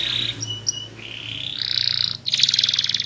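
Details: Small-bodied canary singing loudly and melodiously in a varied, energetic way: scattered high whistled notes, then a sustained buzzy roll and a fast pulsed trill, with a faint low hum underneath.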